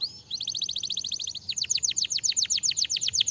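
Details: Canary in full song, used to encourage lazy canaries to sing: a rapid rolling trill of high pure notes that shifts into a faster series of deep-swooping whistles, over light background noise.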